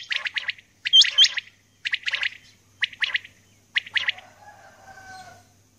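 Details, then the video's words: Early-morning calling of a female common quail: bright, clipped triple bursts in several groups. Two high, curling whistles from another bird overlap early on, and a faint drawn-out tone trails at the close. "Common Quail Calling | Female Quail Calling"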